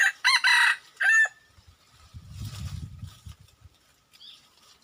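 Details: Wild red junglefowl crow, loud and hoarse, with quick rasping syllables then a final drawn-out falling note. It is followed by a low rumbling noise and a faint distant chirp.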